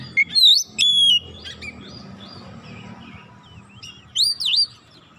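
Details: Oriental magpie-robin song played to provoke other magpie-robins: a quick looping whistle and a sustained note, softer wavering phrases in the middle, then a final pair of high swooping whistles, with low hum underneath.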